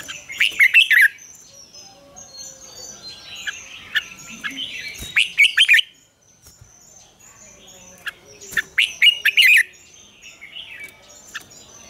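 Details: Red-whiskered bulbul giving morning song in the mature wild double-note style, used as lure song to train other bulbuls; loud warbled bursts near 1, 5 and 9 seconds over constant thin high chirping from other birds.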